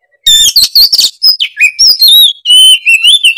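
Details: Oriental magpie-robin (kacer) in full agitated song, unloading its learned repertoire: loud, varied whistled and buzzy phrases, sliding notes near high pitch, bursts of rapid chatter, short pauses between strophes.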